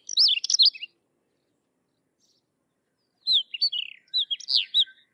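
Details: Sykes's lark singing: a short burst of rapid, high, slurred warbling notes, then a pause of over two seconds and a second, longer run of varied chirps and twisting whistles, with no other sounds.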